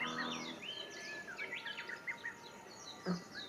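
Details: Several small wild birds singing at a pond near a sports park, heard while dragonflies were being photographed: overlapping quick high chirps and twittering phrases, short rising and falling whistled notes from more than one bird, with a soft steady background hiss.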